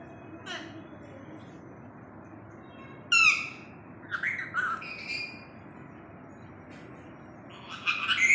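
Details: Pet talking parrot, said to say "Md wali": a short, quiet burst of harsh, squawky, speech-like syllables mid-clip, then a brief raspy utterance at the end, over low room hiss.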